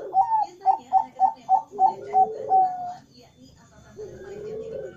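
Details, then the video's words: Morning cooing from a Bangkok-type zebra dove that calls nonstop: seven quick staccato notes in a steady series ending in a longer held coo, after which human speech takes over indoors. "Perkutut Bangkok Gacor ga Berhenti Berbunyi"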